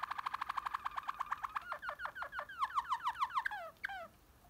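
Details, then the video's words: Waterslager canary singing deep tours: a fast, even train of low rhythmic notes that gradually turn into downward-sliding liquid, bubbling phrases, speeding then slowing, indoors with a quiet background. "waterslager canary deep tours"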